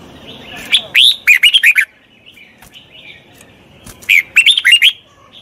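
Red-whiskered bulbul giving two bursts of loud, bubbly whistled phrases, each a quick run of four or five rising and falling notes, separated by a soft pause.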